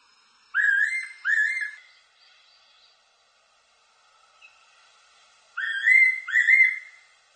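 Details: Fairy pitta giving its double whistle twice, paired rising notes separated by roughly four seconds of near silence with a soft hum in between.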